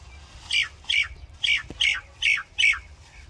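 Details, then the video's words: A common myna gives six harsh, squawky notes in an even series, about one every half second, against a quiet background. "Common Myna Bird Song | Common Myna Sound | Common Myna Call | Indian Mynah Sound | Myna Singing"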